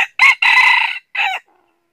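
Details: Red junglefowl used as a decoy in a trap to lure wild junglefowl, in the north: a loud, hoarse, truncated crow in three bursts, a short rising note, a long harsh middle phrase and a clipped ending, then silence.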